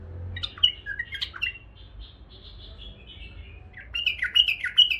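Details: Caged pet bulbuls, one male and two females, give a few sharp chirps and a drawn-out thin whistle, then a lively closing flurry of squeaky twittering.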